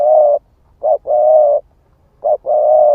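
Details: Spotted dove of the 'ức chẻ' type, cooing to lure and provoke wild doves: low, mellow long coos alternate with brief hooting notes, three drawn-out coos in all, with clean pauses and no other sounds.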